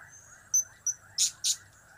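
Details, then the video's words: Brief pair of shrill, high notes from a blue-crowned hanging parrot, its cap-cap, kiak-kiak and crap-crap call types, preceded by two fainter thin whistles, with a constant whine in the background. "Trio Cap²/Kiak²/Crap² Semakin Gacor"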